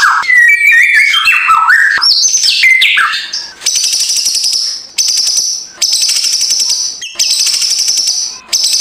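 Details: White-rumped shama song, morning lure to rouse a lazy bird into singing, in crackling kretekan style: loud varied whistled phrases sliding up and down, then rapid buzzy high trills in bursts of about a second with short gaps.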